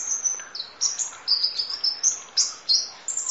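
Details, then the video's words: Sunbird (kolibri ninja) in full song: a continuous chain of high, level whistled notes stepping between two pitches, with quick chirpy breaks and no pauses. "Audio Master Masteran Kolibri Ninja Full Isian Nembak Durasi Panjang Kicau Burung"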